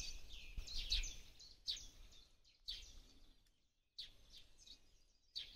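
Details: Sparrow in a Ukrainian forest in April 2023, giving bright, high chirps in clustered bursts separated by short pauses, with a gap of near silence midway; faint low background rumble.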